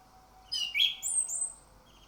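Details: Orange-headed thrush song used as a lure recording to make other birds open their beaks and sing freely: a loud rising whistle, a sharp high note, then a long very high whistled phrase, over quiet background.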